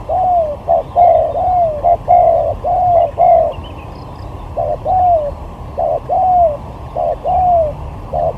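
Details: Spotted dove lure bird in a luring contest, rapid series of mellow coos, several drawn-out notes sloping downward, a short pause, then more phrases ending in long falling coos.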